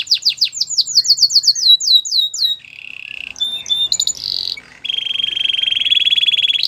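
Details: Belgian singing canary song: a quick sequence of descending whistled notes, then a buzzy low roll, a metallic high flourish and a long steady vibrating trill.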